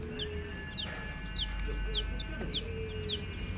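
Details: Chicken chicks cheeping: sharp, high, falling peeps in quick irregular succession above a steady low rumble and a faint humming tone.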